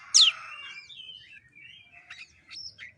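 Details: Lure recording of white-rumped shama song for a bird that will not sing: a loud sharp descending whistle, then softer warbled phrases and a few high chipped notes.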